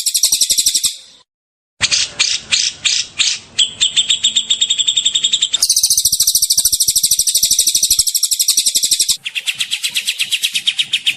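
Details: Ashy tailorbird (Orthotomus ruficeps) song, a very loud songbird: high, shrill song in several spliced bursts of quick trills and rapid chattering notes, with a brief silent gap near the start.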